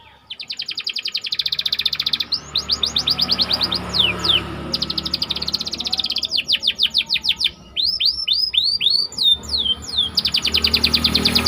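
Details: White canary in a dense rolling song meant as a master recording for canary training: long rapid trills of closely spaced notes, downward swoops, and looping whistles over a steady low background hum.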